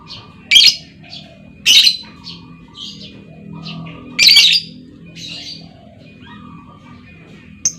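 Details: A female lovebird's lure call, aimed at making other lovebirds trill at length: three strident squawks, then scattered softer chirps and thin whistled notes across the rest.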